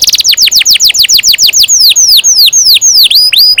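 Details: Canary in lively song used to encourage young birds to sing: a quick run of clear, high, downward-sweeping whistles that gradually slow into longer curved, swooping notes.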